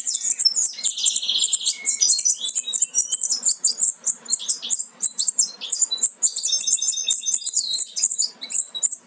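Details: Young European goldfinches about to leave the nest, offspring of a Major goldfinch carrying aminet and an ancestral Parva; loud, busy chorus of high chirps with a buzzy rattling phrase early on and sweeter twitters later.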